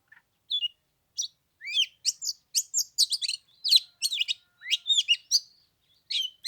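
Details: During a cold Tet morning of about 15 degrees, an oriental magpie-robin sings spaced, bright whistled phrases: sweeping slurs and sharp chips, growing busier toward the middle before a short pause.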